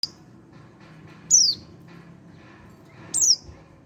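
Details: Young Oriental white-eye, one month old, giving two thin high descending chirps about two seconds apart, each a short downward-sliding whistle, over a quiet low background hum.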